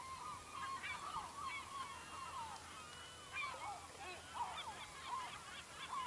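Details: Chorus of gulls beside a fishing village in Norway's Lofoten: steady overlapping mewing and laughing cries from many birds, none standing out, against faint outdoor hiss.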